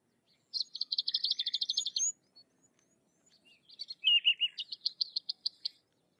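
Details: Sykes's lark song opening with a long, fast, ringing trill of many high notes. After a brief pause comes a lower, scratchy run and then a series of sharp, high chips.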